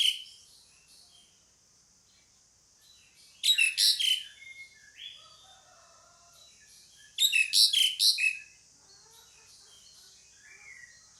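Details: Two loud bursts of rapid harsh rasping notes from a pied myna, about four seconds apart, with soft scattered whistles and chirps between them over a faint steady hiss.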